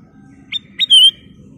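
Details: Sooty-headed bulbul (kutilang emas) in lively song: two short sharp rising notes, then a loud sustained whistle lasting about a fifth of a second, with a low hum beneath.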